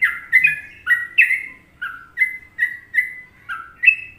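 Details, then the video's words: Sooty-headed bulbul, Indonesia, in masteran Trucukan song: mellow whistled chirps at a slightly uneven pace, some notes doubled, others single and falling, over a faint hum. "Masteran Trucuk Indonesia"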